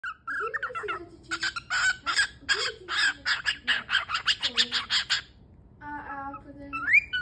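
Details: A pet cockatiel, being silly and enjoying itself, chatters in quick, harsh squawky bursts, mixed with short tonal notes and a final rising whistle.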